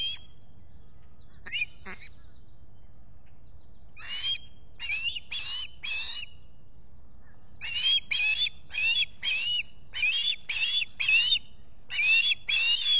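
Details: Osprey squawking at the Salt Point nest, Finger Lakes, US, morning of 23 July 2021: a few isolated calls, then bursts of shrill, upslurred whistled notes in groups of three to five, building in loudness.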